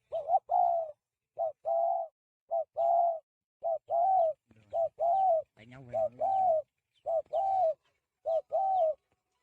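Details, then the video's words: Free-range spotted dove practising its cooing: clear, mellow coo notes in short and longer units, repeated about once a second in a steady pattern, with a brief human voice partway through. "Chim Cu Gáy Nuôi Thả Tự Nhiên Tập Gù Cực Hay"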